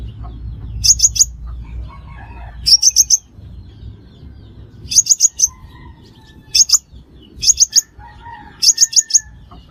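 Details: Five-coloured sunbird call used to lure birds into traps. It gives clusters of thin, piercing high chips roughly every two seconds, with soft lower warbling notes and a low background rumble in the gaps.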